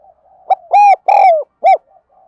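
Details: Spotted dove used as a lure and for training birds, giving one phrase of four low hollow coos: a short note, two long swelling ones, then a clipped final coo, with soft murmuring before and after.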